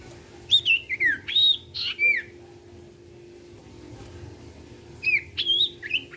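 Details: Actively singing common iora (sirtu), meant to get other sirtu birds singing: two bursts of loud, high whistled notes with quick down-slurs, a quiet gap between, and a constant low hum behind.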